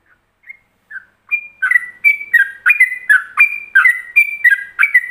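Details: Yellow-vented bulbul giving a Ropelan-style master song meant for other bulbuls to imitate: a few soft, spaced whistles, then a rapid, bubbly run of clear whistled notes alternating between higher and lower pitches, about one per third-second.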